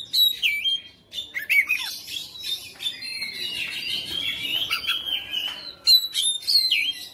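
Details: Persistent fighter-style Oriental magpie-robin, home-kept, pouring out a busy mixture of harsh chattering notes, squeaks and sliding whistles, nearly continuous, with a final pair of clear down-slurred whistles.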